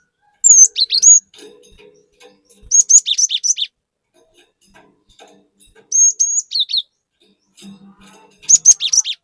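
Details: Cinereous tit (gelatik batu) singing varied 'gacor nembak' phrases meant to provoke other birds: four separate bursts of shrill, clipped whistles and buzzy slurs, spaced by a couple of seconds with faint low chatter between them.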